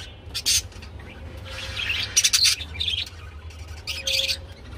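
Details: Budgerigars during mating: bursts of scratchy chirps and chattering notes with short pauses, low hum beneath.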